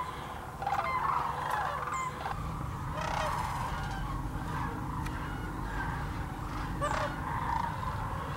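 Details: Massed sandhill cranes at a wintering refuge, the Hiwassee Wildlife Refuge in Birchwood, Tennessee. Thousands of birds raise a continuous wall of rattling calls over a low rumbling background, with a few sharp knocks.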